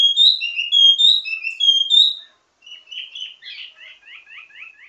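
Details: Ledekan (teasing) song of a wambi mini, rich in variations and used for tutoring birds of the same kind: bright whistled phrases rising and falling, a brief pause, then a string of quick downslurred chirps.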